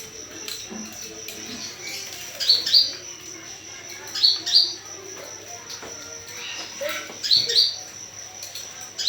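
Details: Lure call of an olive-backed sunbird, played to prompt other birds to answer: pairs of thin, sharp high chirps in three bursts about two and a half seconds apart, over a constant high-pitched hum.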